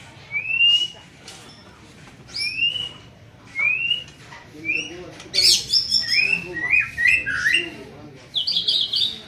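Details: Young white-rumped shama in training, repeating a clear upslurred whistle about every second and a half, then breaking into faster high chattering and varied whistled phrases, over a low steady hum.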